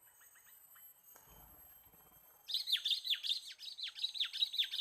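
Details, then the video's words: Sooty-headed bulbul sound used for luring birds: after faint soft notes and a low rustle, a burst of rapid, repeated downslurred chirps, about nine notes in two seconds, bright and insistent. "MIKAT BURUNG KUTILANG PALING SERU"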